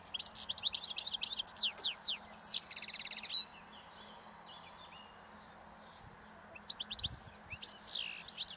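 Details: European goldfinch in the wild, feeding calmly on leftover thistle seeds beside a road in spring's approach, delivering breeding song. Rapid tinkling twitters and a buzzy trill for over three seconds, a lull, then renewed chattering phrases over a faint low hum.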